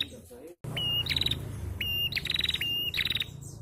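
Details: Call of a female bar-winged prinia, used to provoke untrained males to sing. A thin level whistle alternates with a loud, fast, rattling buzz, twice in close succession, over steady low background hum.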